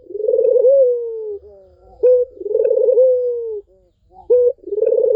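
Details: Cooing Barbary dove used to prompt a mute dove to sing: long tremulous rolled coos with a steady falling tail, each followed by a brief clipped upward note, repeating in a regular cycle with nothing else audible.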